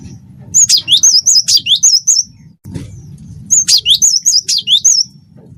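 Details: Cinereous tit of the wingko type in full song, used as a tutor recording to prompt other birds to sing: two bursts of repeated two-note phrases, each a rising sweep then a high wavering whistle, with a low steady hum underneath.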